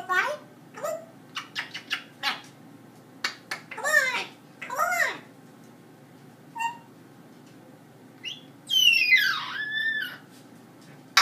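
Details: Pet parrot in a small room talking in quick, speech-like syllables, then breaking into a loud, harsh, grating scream with wavering pitch that lasts about a second.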